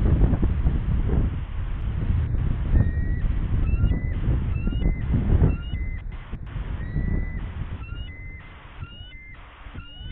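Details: Incubating female bald eagle at a West End nest, 8 March 2013, 9:35 am, upset and on alert, calling while tracking something in flight, a possible territorial intrusion; thin, high piping notes in repeated short series over steady low wind rumble.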